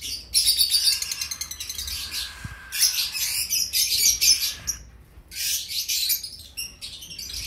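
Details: Cream cockatiel chicks, two weeks old, produce grating, hissy rasps in stuttering pulsed bursts of about one to two seconds, separated by brief silences, with one longer gap near five seconds.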